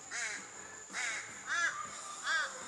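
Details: About five crows near New Beach, south of Carnarvon toward Minilya, Western Australia, agitated by a couple of hawks, give four harsh, nasal caws, roughly one every 0.7 seconds, each slightly arched in pitch; faint background noise underneath.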